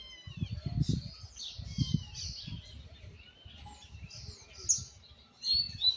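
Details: Juvenile Argentine white goldfinch practising its not yet finished 'misisipi' song: high twittering phrases, thin downslurred whistles and short sharp notes, with a low murmur of voices and bumps underneath.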